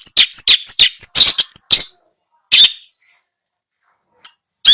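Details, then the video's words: Long-tailed shrike song for a bird that has stopped singing: a rapid jumble of sharp chirps and harsh notes for about two seconds, then single loud calls spaced by silence. "Masteran Cendet Males bunyi"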